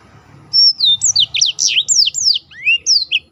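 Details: Continuous run of high, sweeping whistled notes from a black-throated canary in a competition-training recording, each slur dropping in pitch and repeated several times per second.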